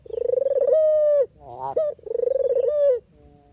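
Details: Dove used as a lure for trapping, giving two long purring coos. The rapid tremolo opening turns into a steady held tone, and a brief rising note sits between the two coos.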